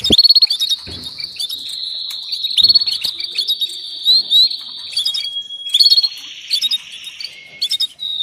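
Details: Calling female canary inviting a male to mate: opening rapid clicks lead into a long, even high trill lasting several seconds, then varied whistles and buzzy chattering notes toward the end.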